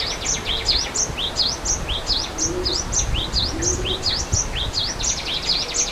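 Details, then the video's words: Wild Java sparrow chirping by a waterfall: quick bright notes that dip and rise, repeated in an even stream from more than one bird, with a few low hooting sounds and rushing water behind. "Suara Air Terjun dan Burung Gelatik di Alam"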